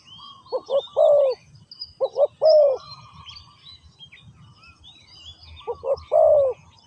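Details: Spotted dove at a ground decoy trap: hoot-hoot-coooo phrases in two bursts, a quieter gap, then another phrase, while other birds chirp and whistle softly in the background.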